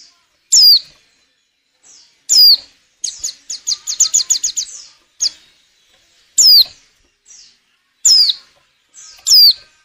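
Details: Female white-eye in breeding condition, a lure for getting males to sing: high downslurred call notes repeated every one to two seconds, interrupted by a rapid burst of about ten sharp chipping notes.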